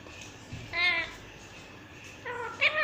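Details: A pet talking green ringneck (rose-ringed parakeet) mimics speech with two short, nasal, speech-like utterances about a second and a half apart, slightly meow-like in tone, against a quiet indoor background.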